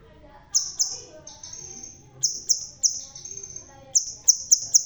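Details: Crimson sunbird with a red tail, bald yet still in strong song: fast shrill high notes alternating with long thin sizzling trills, ending in a rapid burst of four sharp notes.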